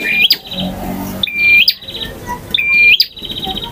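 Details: A male bar-winged prinia repeats three crisp phrases, each a steady high whistle jumping abruptly upward into a sharp crack followed by a short buzzy trill, in ngotot, ngalun, variasi and kristal song styles.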